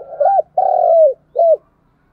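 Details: Spotted dove used as a lure bird, calling to draw and stimulate other doves: three low cooing notes, a short hooked coo, a long drawn-out coo that slides down at the end, then another short hooked coo.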